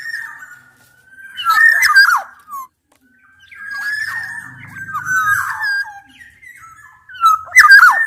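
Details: Black-naped oriole mix combining Javan and Sumbawa males and females, used to challenge a rival and goad a quiet bird into singing: slurred fluty whistles with sliding notes, harsh buzzy bursts, and a low rumble midway.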